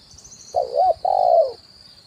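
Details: Spotted dove call, the 'kuk 1' style, used as a decoy to lure wild doves for trapping, on a branch and on the ground. Two low mellow coos, the second longer and steadier, over a constant thin high-pitched hiss.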